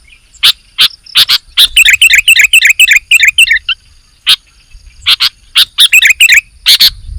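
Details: Lively sooty-headed bulbul song. Spaced sharp ticks lead into a fast, tumbling run of bubbly warbled notes, then a pause, then more ticks and a second chattering burst.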